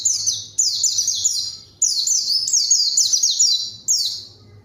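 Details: Nearly continuous white-eye song, meant to lure a rival and make quiet birds sing; loud, high, falling slurred notes strung together with only brief breaks.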